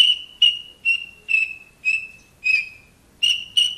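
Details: Captive Horsfield's bush lark of the Wates type from Java, in full vigorous song: a run of eight short whistled notes on one steady pitch, each with a sharp onset and fading tail, spaced roughly every half second, with a gap before the last two.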